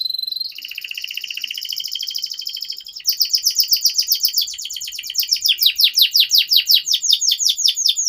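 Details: Canary in long continuous song used as a master to make young canaries sing. A buzzy pulsed trill turns into fast, loud, repeated descending chirps, all high-pitched.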